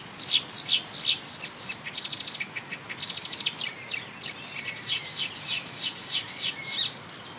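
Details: Mimicking marsh warbler, May 2013, railway embankment at Bernau-Friedenstal, imitating species like tit, blackbird, lark, goldfinch and starling; sharp high chips, brief buzzy trills and a run of quick downslurred notes.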